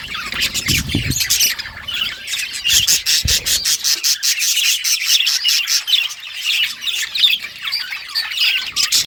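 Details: Pet budgerigars talking to each other in a dense, continuous chatter of rapid chirps, squawks and scratchy warbles that rises and falls in short bursts throughout, with a couple of brief low thumps early on.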